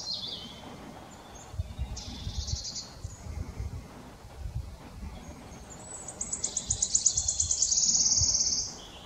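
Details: Singing male wood warbler at Dove Stone RSPB, Oldham, Greater Manchester, on 11 May 2021: a series of high ticking notes speeds up into a loud, shivering trill lasting about two seconds. Softer high phrases come earlier, over low rumbling background noise.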